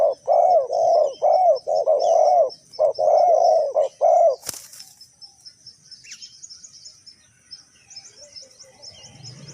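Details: Spotted dove during bird trapping with a decoy, Ninh Thuận, Vietnam: four seconds of rapid mellow cooing, then a sharp knock, followed by quieter high chirping of other birds.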